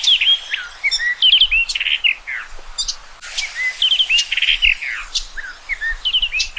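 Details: Rich, continuous song of a common rock thrush: lively chains of clear whistles, slurs and quick trills, sung loud and close with little background noise.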